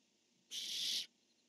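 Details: Single rasping screech of a barn owl, part of an exchange where the male calls and the female answers, dated 10-1-15; the hoarse, breathy burst lasts about half a second against low steady hum.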